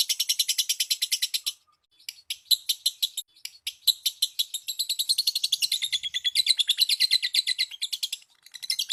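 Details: Lovebird calls used to lure others into singing: rapid shrill chirps in steady series, a short break, then faster, overlapping chatter building up.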